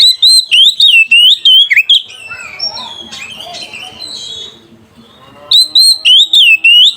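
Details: Oriental magpie-robin delivering rival-calling 'gacor ngeplong' song, meant as a lure for young birds: rapid series of loud, sharp whistled notes, then a softer warbled passage and a brief lull before the fast loud notes return.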